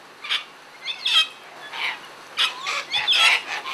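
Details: Sulphur-crested cockatoos calling while out feeding, several short harsh screeches with rising and falling broadband bursts, about seven in under four seconds, some overlapping as if from more than one bird.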